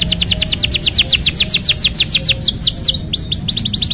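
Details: Canary singing used to stimulate a silent bird: a rapid series of bright falling whistles, slowing into a few looping notes, then speeding up again into quick short notes.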